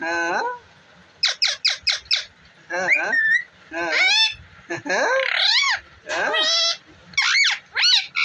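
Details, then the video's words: Talking ringneck parrot producing a series of clipped, harmonic, speech-like bursts. Quick bursts of four or five come first, followed by longer sweeping, warbling phrases with short pauses between them. The setting is quiet, with faint background sounds. "Parrot Ki 🌹Bolane Walee | Ringneck Parrot"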